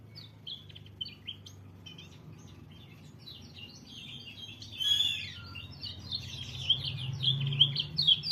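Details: White-eye singing: high, thin chirps at first, building into a fast twittering warble of bright, rapid notes over a low steady hum.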